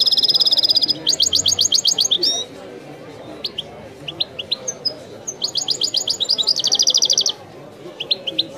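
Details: European goldfinch in Widani song: a sustained buzzy trill, then fast rhythmic chirp series, a pause with scattered notes, and another burst of rapid repeated chirps and trills.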